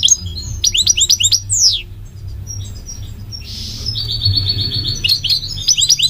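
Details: A goldfinch sings quick twittering notes and a sweeping downward slur, pauses, then gives a soft wheezy note followed by a level buzzy trill and more twitters.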